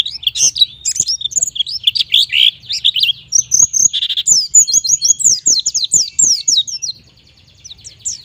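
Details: Lively white-eye song used to spur young birds to sing: rapid high chattering notes and sweeping whistled slurs, varied at first, then a fast run of repeated downslurred notes, fading near the end.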